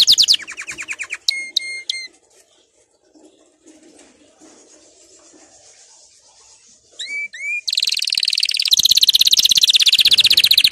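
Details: Canary singing, used to prompt canaries to sing: a quick high trill and a few separate whistled notes, a near-silent stretch with faint background, two upswept whistles, then a dense, buzzy high trill to the end.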